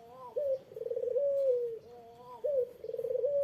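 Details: Low cooing from a Eurasian collared dove used to provoke a rival: a brief vibrating roll that flows into a sustained mellow note, heard twice in quick succession.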